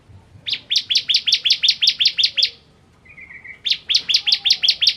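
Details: Bar-winged prinia (ciblek kristal) singing energetically: a run of about twelve fast, high chip notes, a brief pause with a short soft trill, then another rapid series of sharp notes.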